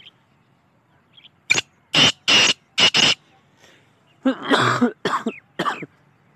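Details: Black francolin giving one harsh phrase of four short rasping notes in quick succession, followed by a rougher, noisier burst of sound with lower tones and a few scratchy notes.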